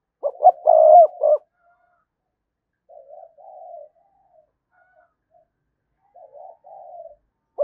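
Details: Spotted dove lure coo for drawing a reply from other doves. It opens with a loud, throbbing burst of coos, followed by softer two-part coo phrases repeated after pauses of a few seconds.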